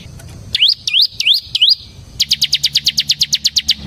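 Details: Bar-winged prinia, ciblek semi, with a lure song for ciblek birds: four swooping notes that drop then rise, then a rapid even trill of about fifteen sharp high chips.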